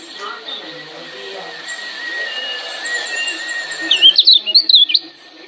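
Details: A Lombok lemon-bellied white-eye, used to provoke other birds into answering, gives thin, high chirps over a steady whine, ending in a quick burst of bright, twittering notes.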